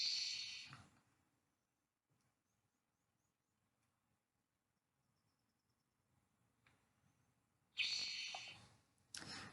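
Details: Spotted Towhee song of the northwestern Nevada and Pacific Northwest type: a dry, buzzy, high trill about a second long, repeated after a long pause, with a brief second burst at the end.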